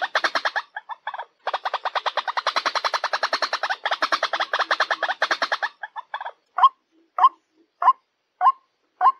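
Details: Ruak-ruak lure sound for attracting white-breasted waterhens: a long rattling run of rapid, tightly packed harsh pulses lasting several seconds, breaking into evenly spaced single croaks at the end.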